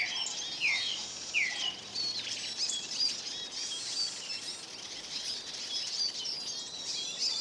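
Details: Hungry Eurasian siskins at a bird table in Kolmården, Sweden, recorded from the ground beneath the feeder: a busy high twittering chatter with two clear down-slurred whistled calls early on, over a constant soft hiss.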